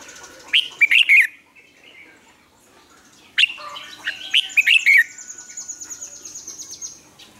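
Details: Red-whiskered bulbul song for training captive birds to sing. Two bouncy whistled phrases are followed by a faint, high, rapid trill in the background.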